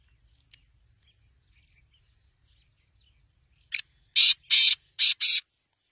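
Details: Black francolin calling: after a quiet stretch, a loud burst of five harsh, rasping, broad notes comes near the end in about two seconds, preceded by a single faint tick.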